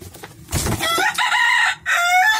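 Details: One of three roosters fighting gives a loud, strained crow with stacked harmonics, broken by a short gap before a second burst, after a noisy scuffle at the start.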